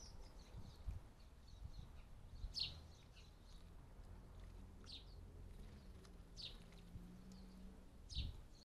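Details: House sparrows drinking and bathing at a garden bird bath in the UK give short, bright chirps, scattered singly every second or two, over a steady low outdoor rumble.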